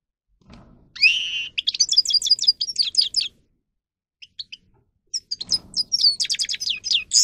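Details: Grey-crowned goldfinch song offered for training goldfinches: a rising whistled note, then a fast string of bright twittering notes, a short pause with a few isolated chips, and another burst of rapid twitters and trills.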